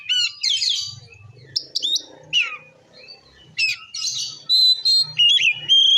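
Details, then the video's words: Oriental magpie-robin in forceful ngeplong song to stir up other magpie-robins: buzzy bursts and sweeping whistles, a quieter stretch with low rumbling, then loud sustained, ringing whistled notes. "Suara Kacer Gacor Ngeplong Ampuh Memancing Emosi Kacer Lain"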